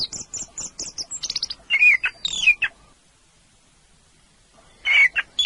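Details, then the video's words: Orange-headed thrush singing a varied run of short high chirps and buzzy notes, then a silent gap and a brief whistled phrase. "Kicau suara burung anis merah"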